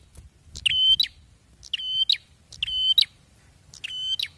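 Bar-winged prinia giving loud, high, ringing phrases of sharp repeated notes, a burst roughly every second or so, over a faint low rumble.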